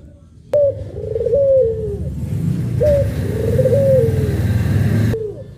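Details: Puter pelung dove, one of two birds, cooing in soft tonal phrases that rise briefly and then fall away, two coo sequences over heavy low rumbling background noise.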